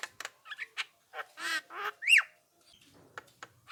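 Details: Javan myna call used to provoke answers from other mynas: clicks and short harsh squawks, two drawn-out grating notes, then one loud rising whistle followed by faint clicks.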